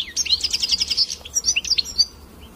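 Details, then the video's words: Hooded siskin song: a rapid run of bright, high twittering notes, then a looser phrase of thin whistles and buzzy chips. "canto do pássaro Pintassilgo"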